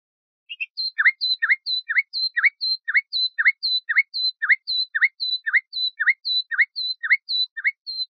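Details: Luscinia megarhynchos, common nightingale, on a bulbul tutor tape: a long run of paired notes, a high short tick and a lower swooping V-shaped chirp, repeated evenly around sixteen times.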